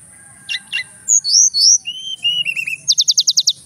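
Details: Male Javan whistling thrush from Mount Merapi in full song: short notes, then loud swooping whistles, a lower slurred run, and a quick trill of about seven sharp repeated notes, with constant background hiss.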